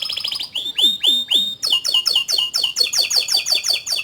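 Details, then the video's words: Canary song: brief trill, three slow deeply dropping whistled notes, then a fast even series of repeated sharp chirps, about four per second. "Suara Burung Kenari Gacor Panjang Cuit Cuit Teerrrr"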